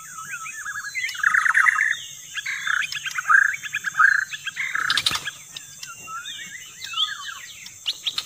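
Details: Lure song of the white-rumped shama: loud, buzzy, warbling bursts alternating with quick chirps and swooping whistles, one sharp click midway, steady hiss throughout.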